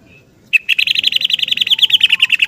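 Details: Yellow-vented bulbul giving long, lively 'ropel' song in the morning, seeking a companion, used as a lure for caged birds: an opening note, then a fast, even rattle of bright notes, about fourteen a second, steady for two seconds.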